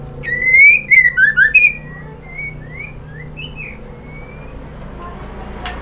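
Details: White-rumped shama female calling a male: a fast run of five or six bright, downward-sliding whistles, followed by quieter scattered whistled notes that fade out.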